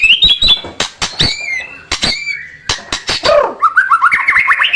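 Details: White-rumped shama song as training material for competition birds: clear high whistles, then a falling slur into a chattering run of quick repeated notes, with frequent sharp snapping clicks.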